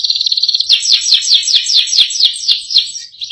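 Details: Canary in full isian song: a rapid high trill, then a slower series of bright, sharply clicking chopped notes repeated around four per second, fading at the close.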